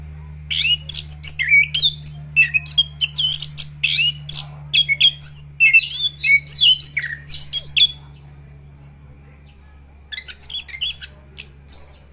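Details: Orange-headed thrush in steady song, a kept bird: fast, varied whistles, chirps and harsh notes in a long rich run, a pause, then a quieter scratchy twitter, over a low hum.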